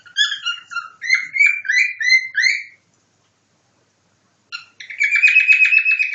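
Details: Cockatiel kept as a pet imitating nightingale song: a fast series of rising whistled notes for nearly three seconds, a pause, then a rapid buzzy trill-like run of repeated notes.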